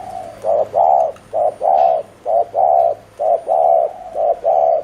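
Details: Spotted dove used as a decoy, cooing fast in the 'gù' manner to lure wild birds. Loud, rounded low coos arrive in pairs, a brief note followed by a longer swelling one, roughly every second.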